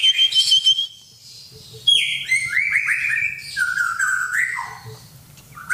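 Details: Murai, the white-rumped shama, singing straight back at a whistle: rich, rapid and varied phrases with ringing whistles, sliding slurs and some buzzy, chattering notes, pausing briefly before bursting out again; faint low hum beneath.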